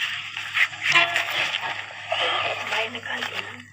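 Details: Three ring-necked (rose-ringed) parakeets playing in a house courtyard chatter in high, raspy, speech-like phrases, with a few sharp squawks over a steady low electrical hum.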